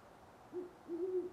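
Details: Great horned owl in Parker, Colorado, near sunrise on November 25, 2011, delivering a short low hoot and then a longer, slightly wavering one.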